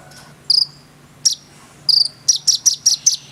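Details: Konin singing with full rich phrases, used as tutor song for sunbirds: spaced high sharp chirps giving way to a quick run of about six bright, buzzy notes, over a low steady hum.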